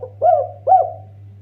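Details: Two rounded, mellow coos from a collared dove used as a lure, each swelling then falling away, about half a second apart, with a steady low hum beneath.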